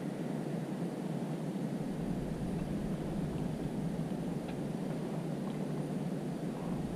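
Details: Continuous broadband rushing noise, like wind or a distant engine, steady from start to finish with no clear animal call.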